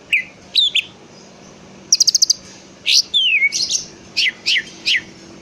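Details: Greater green leafbird song played to provoke a reply from another leafbird: bright whistled phrases, a fast run of five sharp chips, a long descending slur, then evenly spaced falling notes, over a faint steady hum.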